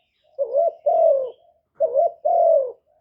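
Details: Caged spotted dove used as a decoy to lure wild doves, giving a low two-part coo: a short wavering note then a longer falling hoot, repeated twice with a pause between pairs.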